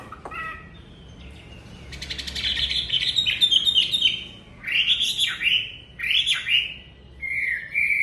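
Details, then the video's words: Home-kept Chinese hwamei in a cage, singing on a very cold day while still finishing its plumage; a buzzy rattle opens into strong looping whistles that swoop down and up, repeated in bursts. "Chú Hoạ Mi hót ngày rét đậm"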